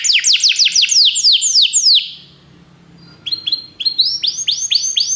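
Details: Belgian canary song used to encourage other canaries to sing, made of loud descending sweeping whistles repeated several times a second, a short near-silent gap, then rising swept notes in a quicker repeated series.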